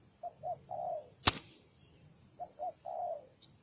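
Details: Spotted dove in a combative mood, heard at a distance: two soft phrases of two short coos then a longer falling hoot, with one sharp click between them and faint background hiss.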